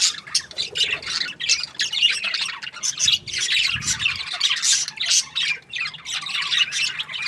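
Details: Happy budgies during breeding season, a flock chattering nonstop: short buzzy squawks and rapid warbling chirps pile on each other in quick bursts, rising and falling in loudness every second or so.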